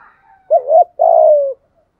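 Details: Single phrase from a decoy spotted dove luring other doves: a wavering two-part note followed by a sustained, slowly descending coo.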